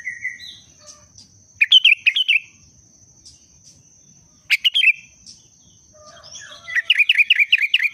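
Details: Sooty-headed bulbul in breeding condition, short bursts of bubbling warbled notes: a brief phrase at the start, louder rippling phrases near two and five seconds, then a run of quick repeated notes at the end.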